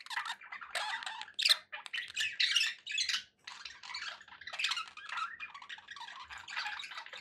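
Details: Pet budgerigars give a lively mix of short chirps, squawks and warbled phrases in uneven bursts, high and scratchy, with brief gaps.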